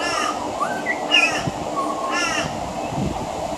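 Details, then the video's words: On a veranda, a pied butcherbird weaves mimicry of other Australian birds into its song: three coarse, raspy calls alternate with short rising and falling whistles, against a constant background drone. "Mimicry of the pied butcherbird"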